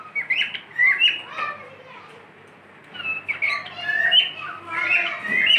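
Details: Pet cockatiel whistling at home: bursts of bright, warbling whistles and short chirps, quiet gaps between phrases, faint steady hum beneath.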